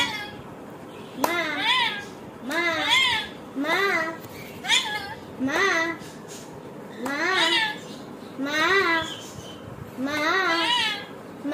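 Rainbow lorikeet talking: a voice-like word, apparently "mom," repeated about every second, each a rising then falling syllable with a nasal ring.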